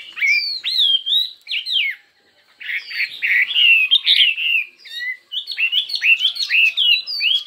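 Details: Chinese hwamei contest singing with many voices: clear rising whistles, a short silence, then a chattering rush of buzzy notes and looping whistled phrases that keep varying.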